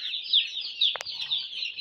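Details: Broiler chicks kept warm in winter give a constant chorus of thin, high cheeps, interrupted once by a brief double knock near the middle.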